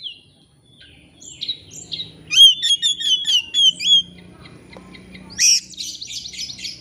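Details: Oriental magpie-robin in excited song used to bait another bird: soft scattered whistles, then a fast run of sharp clicking notes over a sustained whistle, ending in a harsh buzzy burst.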